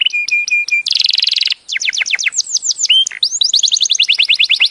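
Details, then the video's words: Bird singing loudly and clearly: a run of short steady whistles, then a harsh buzzy burst, then rapid series of high notes sweeping downward, ending in fast repeated rising-falling trills, with no other sounds. "The best bird song"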